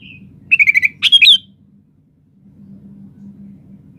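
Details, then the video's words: Sooty-headed bulbul: a brief, bubbly phrase of quick chirped notes, then a higher twisting flourish lasting under a second, followed by a low steady hum. "SUARA BURUNG KUTILANG GACOR"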